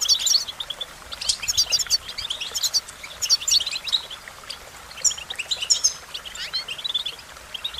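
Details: Song of an American goldfinch, high and lively, made of rapid clusters of chirps and thin twitters that break off and start again, with quiet hiss between the phrases.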